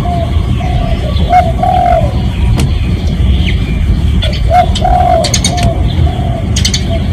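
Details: Spotted dove calling to attract other doves, genuine recording: a string of soft hooting coos, short notes leading into longer slurred ones, repeated through the clip over low droning noise and faint clicks.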